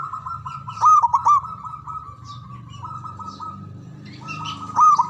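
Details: Javanese zebra dove, a loud long-breathed singer used to rouse silent, stressed doves: a steady drawn-out coo carries throughout, broken by two bursts of rapid staccato notes near the start and end, over a low background hum.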